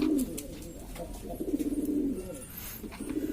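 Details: Domestic pigeons of various types from East Lombok, West Nusa Tenggara, in a noisy flock: low, throaty coos that roll and dip, with a long steady coo in the middle and soft clicks and rustling between.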